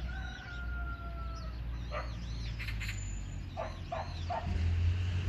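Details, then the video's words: A magpie calls, giving harsh, rattling chatter in short bursts of three or four notes over a steady low rumble. "까치~ The magpie's calling!"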